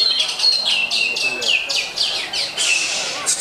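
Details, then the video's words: Greater green leafbird, Jet Li song style: a quick series of sharp, down-slurred whistled notes repeated several times a second, with harsh high buzzy overtones. "Lagu Mewah Cucak Hijau JET LI"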